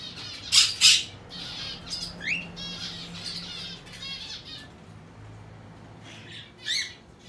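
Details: A hand-tame aqua pallid monk parakeet chick, recorded 22 May 2022, gives harsh, raspy squawks and short chattering notes in irregular bursts, with a couple of louder screechy calls, in a quiet indoor setting.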